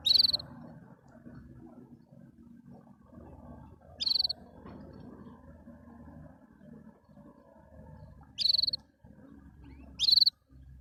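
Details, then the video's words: Canary singing happily: four brief, loud, buzzy trilled bursts at irregular gaps of two to four seconds, over a steady background of low rumbling and rustling room noise. "Watch the canary sing happily"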